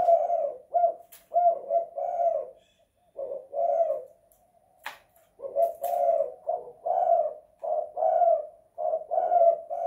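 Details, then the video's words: Spotted dove kept indoors in a house, cooing in the kuk 2 / guk 1 style: soft, low, hollow coos grouped into phrases of two short notes then longer ones, repeated with brief silences between phrases. "Tekukur kuk 2 / guk 1 in the house"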